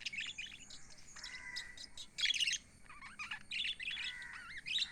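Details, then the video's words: Pet lovebirds chirping: rapid high twittering chirps and bursts of squeaky notes, with longer steady whistled tones and wavering warbles in between, several birds calling over one another. "Happy lovebirds chirping sound"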